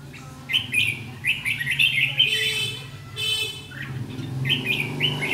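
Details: Red-whiskered bulbul at a fighting trap on 7 July 2016, singing the combative ché song to threaten a decoy bird: short warbled, slurred phrases repeated in quick bursts, over a steady low hum.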